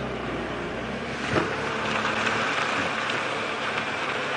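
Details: Broad hiss and rumble from a moving vehicle in the open air, with no clear animal calls.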